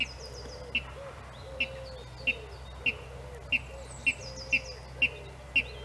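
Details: A water rail singing in April 2018 gives sharp, clipped 'kip' notes repeated steadily about every two-thirds of a second. Faint calls of other birds and a low rumble sit behind.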